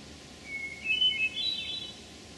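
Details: A single Hermit Thrush phrase, recorded June 11, 2012 in Memorial Forest, Sudbury, Massachusetts: a sustained pure whistle followed by a rising cascade of short, ringing notes that climbs higher toward the end, over soft forest hiss.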